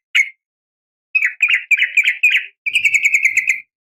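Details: Female sooty-headed bulbul giving a morning call to summon males. A lone chirp is followed by a quick series of harsh, chattering notes, then a faster run of bright, evenly repeated chips.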